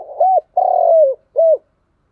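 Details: Close spotted dove doing 'thúc gù' cooing: a single arched coo, then a long rolling coo that slides downward, and a short arched final note, clean with no other sounds.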